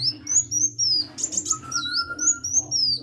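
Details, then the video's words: A hummingbird sings vigorously in a fast run of high, sliding whistles, broken by a cluster of dry buzzy notes midway and one long lower whistle, over a faint constant hum. "KICAU BURUNG KOLIBRI GACOR"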